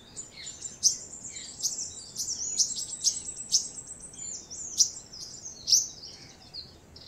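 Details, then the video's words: Purple-rumped sunbird pair nesting: thin, high, clipped chip notes repeated irregularly, roughly one every second, over a constant hiss of background noise and faint overlapping twitters. "purple rumped Sunbird"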